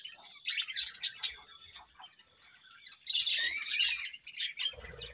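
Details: Budgerigars chirping in the morning, a soft, busy chatter of squeaky notes that swells into a louder, denser warbling burst toward the end.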